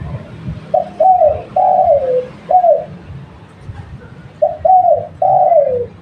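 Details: Lure spotted dove of a local type giving two clear cooing sequences, each a short note, a wavering coo and a long falling coo, with quiet low background.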